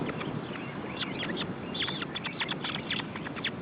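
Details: Osprey chicks at the nest during feeding in June 2012 give a rapid string of short, thin, downslurred chirps over steady low rumbling noise, with calls bunched irregularly and growing busier toward the end.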